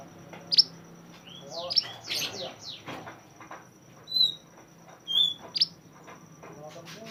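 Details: Mantenan bird from the mountains, recorded as song for tutoring other songbirds: scattered sharp high chirps and short whistles separated by pauses, with soft rustling and faint background murmur.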